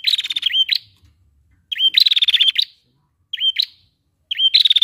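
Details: Female prinia call, used to stir lazy males into singing loudly; quick rattling, buzzy trills at a high pitch, given in four short bursts about every one and a half seconds, each ending in a clipped upturn, with a clean, quiet background.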